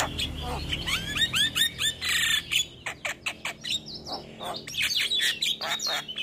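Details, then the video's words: A male Javan myna sings energetically in the morning, a full fill-in song: a row of upslurred whistled chirps, a hissing burst, then mixed scratchy chirps and ticks. "Masteran Jalak Kebo Pagi Hari Jalak Kebo Jantan Gacor Full isian"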